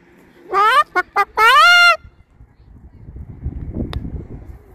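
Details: A pet Moluccan cockatoo indoors mimics a chicken with a loud, harmonic 'bok, bok, bok-aaak', two short clucks then a long drawn squawk, followed by quiet room noise.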